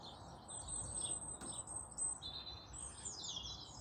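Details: A Song Thrush sings in the morning from ash trees bordering a small urban garden, giving bright, high whistled and chirping phrases in quick succession over a steady low hum of distant background noise.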